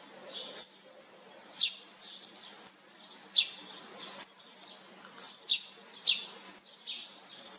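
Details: Feeding of olive-backed sunbird chicks, fourth brood: a steady run of sharp, very high chirps about every half second, some falling quickly in pitch.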